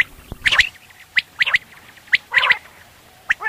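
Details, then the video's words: Quail calls used in the morning for hunting: brief whistled notes near the upper range mixed with short harsh, nasal bursts. The calls come about once a second at an uneven pace, with quiet gaps between them. "Batair awaz / quail sound / subah shekar k leye batairon ki behtareen awazy"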